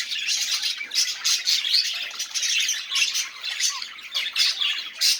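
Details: Scratchy budgerigar warbling, offered as a recording to encourage silent budgies to sing, with harsh squawks, rapid clicks and a few short rising whistles mixed into continuous chatter.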